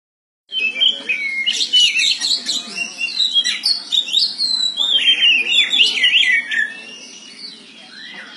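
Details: Caged oriental magpie-robin singing in the morning: a rapid, continuous run of varied whistles, sweeps and chattering notes, loud and unbroken for several seconds before fading.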